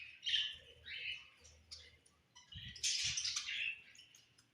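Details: Budgies in the summer evening give a short scratchy warble, a pause, then a louder burst of mixed chirps and squeaks. Low muffled knocks are heard in the background.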